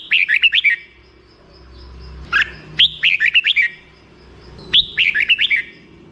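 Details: Black-crested bulbul song: repeated phrases of rapid, bubbly whistled notes, each burst of five or six notes, separated by quiet pauses.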